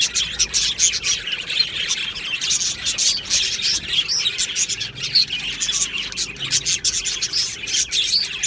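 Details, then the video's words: Australian budgies in an aviary colony, an unbroken chorus of twittering, chirps and scratchy warbles from many birds at once. "Budgie singing sounds | Budgie chirping sounds"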